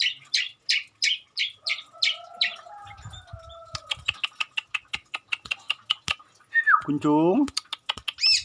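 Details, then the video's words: Long-tailed shrike singing actively, its song filled with mimicked calls of garden birds: a run of rapid repeated high chirps, then a thin sustained whistle, sharp dry clicks in quick series, and a short rising-falling squeal near the end. "Burung cendet gacor isian burung sekebun"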